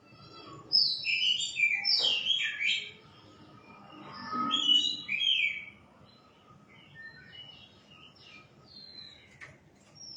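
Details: White-rumped shama singing: bursts of varied whistled phrases, sliding and looping between high notes in two loud spells, then quieter scattered notes with a low murmur beneath.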